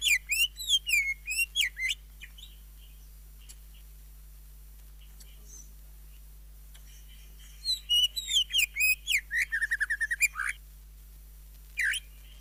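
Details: Greater green leafbird in full song with fillers and jamtrok: a two-second run of bright, bouncing whistles, a long hush, then a fast, chattering series of sweeping notes and one final note.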